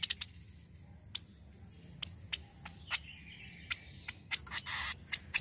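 A Kaso-kaso gives sharp, dry chips, about a dozen in five seconds at an uneven pace, over a thin, steady high ringing and a brief rasping burst near the end.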